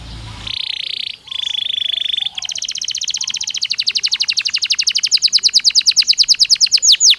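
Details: A Belgian canary sings two steady buzzy tours, then a long rolled trill that grows louder and faster, finishing with sharp descending notes.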